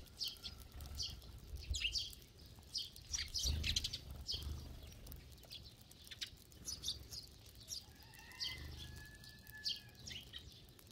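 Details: A large flock of sparrows feeding together gives a dense chatter of short, high chirps overlapping throughout, with bursts of wing flutter and a low background rumble.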